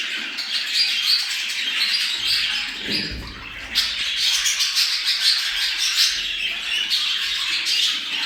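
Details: Budgerigars chattering to stimulate breeding: dense warbled twittering and squawks, briefly interrupted near the middle by a low muffled thump, then resuming with clicky, pulsing chatter.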